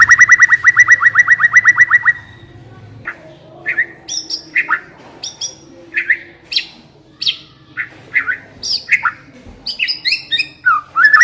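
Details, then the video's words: Caged white-rumped shama lure song to get a shama singing: opens with a fast rattling run of about two seconds, then varied loud whistled and buzzy phrases spaced about every half second, with a low hum beneath. "Pancingan suara burung murai batu agar cepat bunyi dan ngeplong"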